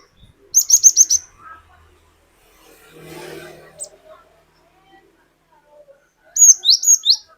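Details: Glatik batu (cinereous tit) lure song: a rapid series of five bright, high notes, then a brief scraping rustle in the middle, and another run of four sharp, downslurred whistles at the end.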